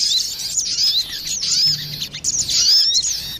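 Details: Crested jay lure recording of a female and male answering each other: high thin whistled notes and fast twittering runs in clustered bursts, over a steady low hum and background noise.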